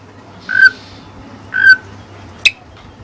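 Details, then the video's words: Oriental magpie-robin (kacer) with Cililin song material: two clear, level, mid-pitched whistled notes about a second apart, then a brief sharp high chip, over faint low background hum. "Burung Kacer Isian Cililin"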